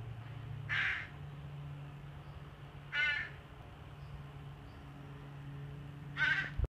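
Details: Adult female crow in late March or early April, giving baby-like 'wah wah' begging calls while fluttering her wings to prime her partner to feed her; three harsh nasal calls spaced about two to three seconds apart over a steady low hum.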